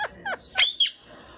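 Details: Indian ringneck parakeet brothers squabbling over pomegranate seeds, one refusing to share: three sharp harsh squawks in quick succession, the last a longer buzzy double note, over a quiet room.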